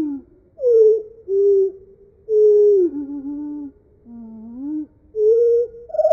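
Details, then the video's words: Eurasian blackcap (Sylvia atricapilla) song slowed far down, so the warbling becomes low, hooting, sliding tones in separate phrases about a second apart; no other sounds. "The Harmony of Bird Sounds - Eurasian blackcap"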